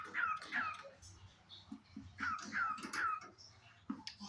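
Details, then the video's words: Pet cockatiel walking around indoors, giving short whistled notes that sweep downward, about five in two bursts, with soft chatter, faint thumps and a low background hum in a small room. "cute Cockatiel sound"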